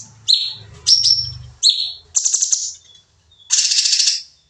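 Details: Sooty-headed bulbul from a training recording of 'nembak' song: a few sharp two-toned chirps, then rattling buzzy bursts, over a soft low background hum.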